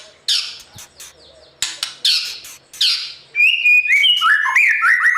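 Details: White-rumped shama singing in the morning to train a newly caught bird's voice for fight-singing competition: harsh buzzy rasping bursts at first, then a rapid run of clear whistled and sliding notes, rising and falling.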